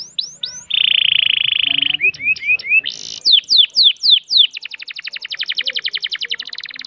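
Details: Canary singing in a long-breath style: a few sharp downswept notes, then a steady buzzy tone held about a second, then rising and falling whistled slurs and a long fast trill of clipped notes at the end.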